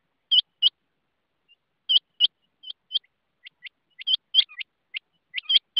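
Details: Rain quail giving repeated sharp, high, metallic double notes in quick succession, some pairs overlapping as a second, softer bird answers, on a silent background.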